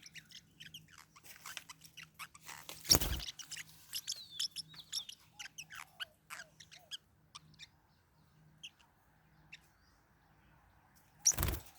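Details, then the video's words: Pet Forpus parrotlets fighting indoors: a rapid run of short, sharp, high chirps and clicks, with a low steady hum beneath and two loud broadband clattering bursts. "My birds are fighting What should I do? | forpus parrot bird"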